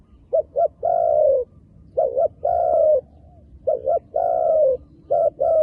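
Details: Wild dove with dark black plumage: repeated low cooing phrases, each two short hoots followed by a longer drawn-out, slightly falling coo, with a pause of about a second between phrases and a quiet background.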